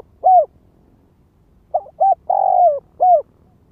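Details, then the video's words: Spotted dove used as a ground lure bird, giving a calling style known as gáy gọi, thúc, kích bổi: one lone mellow coo, a pause, then a phrase of two short notes, a long drawn, falling coo and a final clipped note, in quiet surroundings. "Tiếng chim cu gáy mồi đất Gáy Gọi Thúc Kích Bổi"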